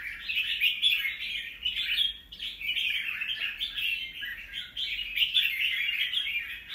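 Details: Red-whiskered bulbul, a wild-caught bird kept in captivity, recorded 25 December 2023: dense, continuous warbled and chattering phrases in a bright mid-high register, running almost without pause and rising and falling in loudness, with a brief dip near two seconds.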